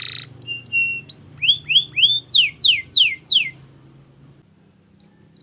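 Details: Canary singing a master song for training: thin high notes and a held whistle, then a rising series of upswept and descending slurred notes before quiet.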